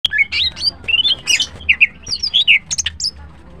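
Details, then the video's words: Green cucak (greater green leafbird), a bird prized for melodious singing in the morning: varied whistled and chattered phrases, slurred notes jumping between high and mid pitch in quick, irregular bursts, with a faint low hum beneath. "Green Cucak birds sing melodiously and are pleasant to listen to"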